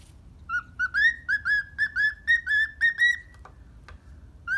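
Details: A happy pet cockatiel in the morning gives a quick run of clear, slightly rising whistled notes, about ten in three seconds, then pauses before one more, over a faint low hum.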